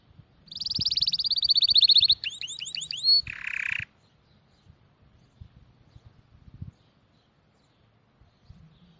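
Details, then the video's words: High, fast trill swelling in loudness, followed by several looping whistled slurs and a harsh buzzy note, then near quiet with faint low rustles. "Sonidos de pájaros☺أصوات العصافير"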